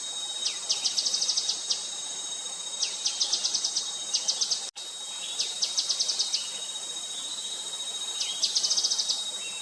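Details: Grey-headed canary-flycatcher calling repeatedly, four high rapid trills of sharp ticks each opened by a slurred note, with brief cut near the middle and constant insect noise.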